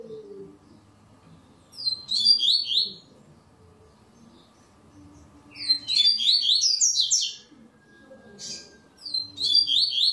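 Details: Three song phrases from a double-collared seedeater entered in an online singing contest, each a fast cascade of sweeping whistled notes, spaced roughly three to four seconds apart over low background noise.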